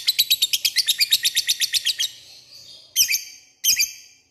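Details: Lovebird lure call meant to call out a rival, with about two seconds of fast, shrill ngekek chattering, then a quiet gap and two short, harsh high bursts.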